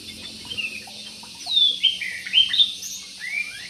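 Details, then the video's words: Jumbo parakeet in an aviary calling with a quick series of sliding, downward-swooping chirps, several notes in a row, over a faint low hum. "PARKIT JUMBO"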